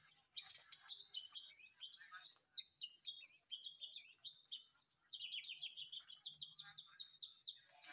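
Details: Afternoon master song of a white-rumped shama in a backyard aviary used for training: busy jumble of bright chirps and whistles, then a long run of fast, descending, clipped notes, with a steady high-pitched hum behind.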